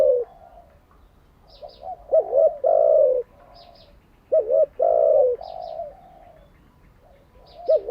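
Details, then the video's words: Spotted dove cooing, recorded to train newly caught and decoy doves: two soft wavering notes, then a long descending coo, heard twice. Faint high chirps from small birds sound in the background. "Tiếng chim cu gáy mới nhất, dùng luyện chim gáy bổi và mồi hàng ngày"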